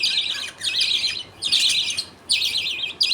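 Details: A budgie colony at feeding time, with the father passing millet food paste to two baby budgies while the mother looks on. Scratchy, grating bursts of chatter, each roughly half a second long, are separated by brief pauses.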